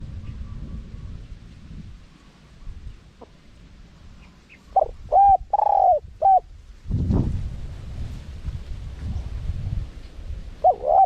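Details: Spotted dove in wild-style 'karom pa' cadence, small voice, with 'khat', 'nun' and 'ku ang' phrasing, used to lure wild doves. A mid-pitched phrase: short note, two smooth coos, then a clipped coo, with a fragment at the end over low rumbling background.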